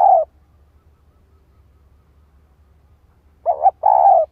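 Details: Spotted dove calling as a lure for a male: the tail of one coo is followed by a long pause, then a stuttered note and a drawn-out buzzy coo. There is no other sound.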